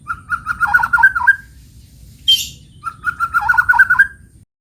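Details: White-rumped shama in the morning, giving two bursts of rapid warbled chattering notes, broken by a brief harsh hissing sound, with low hum underneath.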